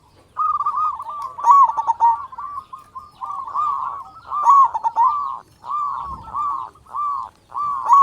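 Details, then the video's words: Lure recording of a loud, actively singing local zebra dove to make other doves sing: a string of rolling, bubbling coo phrases, each a quick run of clipped notes, repeated roughly every second or two. "Perkutut Lokal Gacor Suara Besar Pancingan Burung Perkutut Agar Cepat Bunyi"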